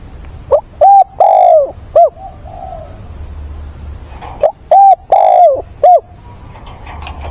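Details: Caged decoy spotted dove with a mature voice, cooing to attract a mate on 17 September: two bursts of loud, mellow, hollow coos, each a short rising note, a longer drawn coo and a clipped end note, with faint distant coos between.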